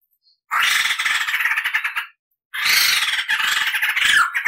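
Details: Crested laughingthrush on a tutor recording meant to train other cage birds: two loud, harsh, rasping bursts of cackling chatter about two seconds each, separated by silence.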